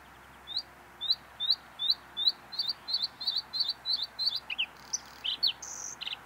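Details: A Bluethroat (Luscinia svecica), a meadow-dwelling singer, sings a run of high, sharp repeated notes, about three a second, speeding into a varied jumble of ringing, metallic phrases.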